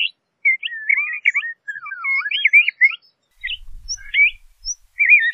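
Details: Rich warbling song of LeConte's thrasher, with looping, wavering whistles running almost without break, then a few separate phrases, over a faint low rumble.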